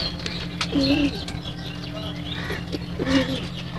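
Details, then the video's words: Domestic pigeons inside their loft during feeding, giving two low, rolling coos about two seconds apart, with a steady ambient music drone and light rustling underneath. "Pigeon Sounds"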